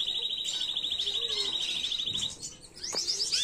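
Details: Original canary song without errors, used to teach young birds, 2022: a fast, even bubbling trill for about two seconds, a short quiet gap, then quick rising sweeps and a high rattling phrase.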